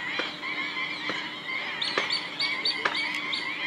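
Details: Black-winged stilts calling en masse in a Gujarat wetland, India, thousands of migratory birds present; steady chatter of short yapping notes with bright higher chirps and scattered sharp ticks over it.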